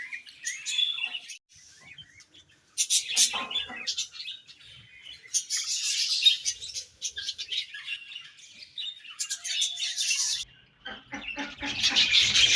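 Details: A colony of budgerigars in the morning, chattering in dense bursts of high, scratchy chirps and warbles that come and go in waves, with brief quiet gaps between the busier passages.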